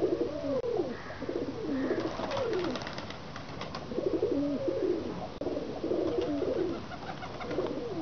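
Several pigeons coo in soft, rolling, throaty phrases that overlap and repeat steadily, with a faint hiss of background noise.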